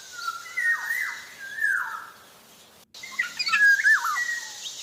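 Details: Black-naped oriole singing actively: two stretched nasal notes, each ending in a rough falling slur, then after a brief cut a lively burst of looping, warbled whistles.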